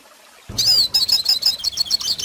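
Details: Goldfinch singing, recorded for teaching young birds to sing. After a brief quiet start, a bright rapid series of high twittering, warbled notes repeated in quick succession over faint background noise.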